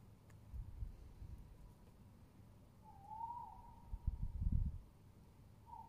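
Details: Tawny owl recorded 22 07 20, one smooth, slightly rising then level tonal note held for about a second, with low rumbling thumps before and after and a second note starting at the end.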